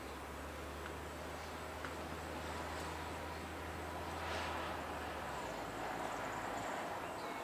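Outdoor broadband hiss with a low steady hum that drops away after five seconds, no animal calls heard.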